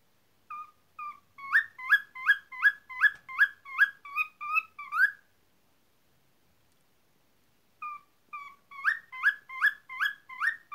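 A cockatiel gives quick runs of bright, rising whistled notes, about two or three each second.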